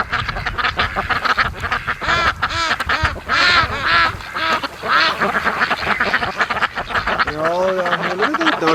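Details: A flock of domestic ducks quacks as it swims over to its owner during an afternoon duck call: dense, overlapping, nasal quacks in rapid bursts, louder in the middle, with a man's voice greeting them near the end.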